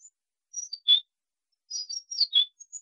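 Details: Wallcreeper calling: thin, high-pitched whistled notes, short sliding and descending, given in two spaced bursts against a silent background.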